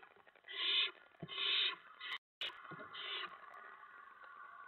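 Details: Owlets in the nest at about 2 AM on 10 September 2017 while adults deliver prey. Three coarse hissing screeches in quick succession, interrupted by a sharp click and a brief gap.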